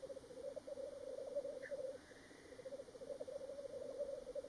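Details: Black grouse at World's End, Ruabon Moor, North Wales, on 25 March 2018 give a steady, low, dove-like bubbling that rolls on without pause, several birds overlapping, with one brief higher note partway through.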